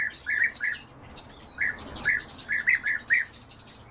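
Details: European bee-eaters calling while feeding: short rolling, trilled notes, several given in quick uneven runs, with fainter higher chirps above them.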